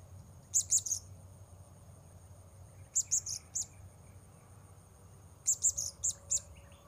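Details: Blue-crowned hanging parrot recorded while luring wild birds: three bursts of rapid, very high, thin sharp notes, three to five per burst, separated by pauses of about two seconds, against steady background noise and a faint lower chirp.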